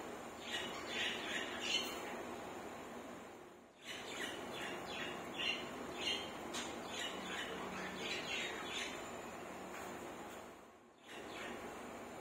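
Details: A pair of courting budgerigars, kept at home, chatter in quick, scratchy warbles and chirps, a steady stream of courtship calls.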